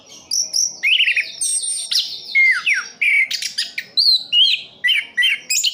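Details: An orange-headed thrush from Sidoarjo, East Java, Indonesia, sings a lively medley: high buzzy trills, long downslurred whistles, sharp chips and looping phrases strung together with barely a break, a soft hum in the background.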